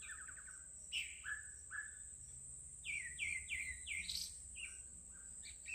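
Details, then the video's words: Melodious birdsong of repeated short chirped notes, some in quick series of four, others slurred downward, delivered in bursts about three times a second, with a continuous high buzzing drone behind. "suara burung berkicau yang begitu sahdu"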